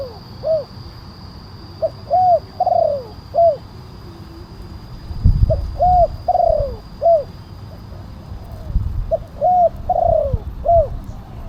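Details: Spotted dove lure call, big voice, kuk 1 style: three repeated phrases of deep coos, each with a long quavering downward note, interrupted midway by low thumping rumbles from handling or wind.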